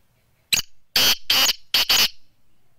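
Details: Black francolin, locally called kala tetar, from Sindh: a loud harsh call of five grating notes in about two seconds, one short note then two paired bursts, in a quiet setting.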